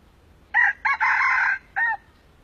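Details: An old wild red junglefowl crows: two quick rough notes, a longer sustained middle phrase, then an abrupt clipped final note, all within about a second and a half.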